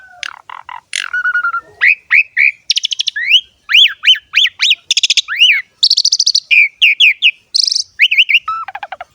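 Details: Asian pied starling delivering busy song with rich varied fill-in phrases: stuttered chirps, a flat whistle, then many repeated arched whistled notes mixed with dense high rattles.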